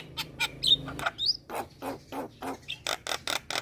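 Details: Starling calls used as a lure to draw responses from myna and starling species: a rapid series of harsh, rasping bursts, roughly four per second, with a couple of brief thin whistles mixed in and a low steady hum beneath.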